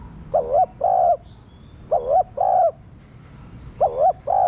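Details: Spotted dove kept in captivity as a lure singer to make other doves coo; three paired coos, each a quick dipping note followed by a drawn-out steady one, over a soft hum of background noise.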